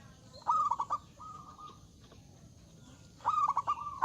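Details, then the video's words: Zebra dove giving loud song that invites rival birds to answer: a quick pulsed coo phrase, a softer level note, then after a pause another strong run of rapid rolling coos. "Suara Burung Perkutut Gacor Suara Besar Mengundang Lawan Bunyi"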